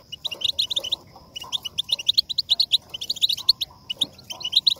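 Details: Goldfinch song for motivating singing: lively phrases of rapid twittering and buzzy chirps, each about a second long, separated by brief quiet gaps, with a faint sustained high whine behind.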